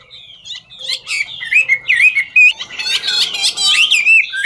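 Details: Chinese hwamei singing as it dances, 'ngũ trường' style: varied whistled phrases with swooping, twisting notes, then a loud stretch of dense scratchy chatter overlaid with whistles.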